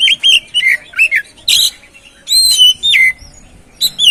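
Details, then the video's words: Oriental magpie-robin song serving as a lure to encourage another bird to sing. Quick warbled whistles, some dipping, then longer level whistled notes, loud and close with short silences. "Pancingan Burung Kacer Atasi Macet Dan Stres Kurang Gacor"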